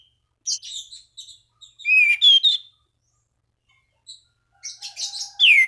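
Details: Orange-banded thrush song calling rivals so that other thrushes will sing: scattered high chips, then loud slurred whistles, a pause, and a final burst of buzzy warbling ending in a descending whistle.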